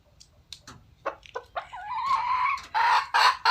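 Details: Wild red junglefowl: soft clucks build into a sliding, rising drawn note, then loud coarse cackling bursts close the sequence over a low background rumble.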